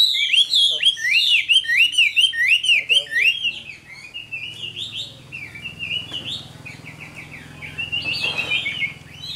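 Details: Chinese hwamei, mature wild-caught Tam Hoàng bird with a fine voice, repeats loud looping whistled phrases about twice a second, then shifts to softer, rambling high warbles.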